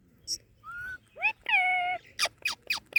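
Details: Parrot talking while playing with a guava, giving a steady whistled tone, then a longer level whistle with strong harmonics, followed by a quick series of sharp clicking notes.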